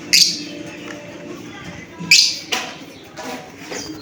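Shrill, sharp lovebird chirps: three piercing notes in about four seconds, spaced irregularly, over a low indoor background hum.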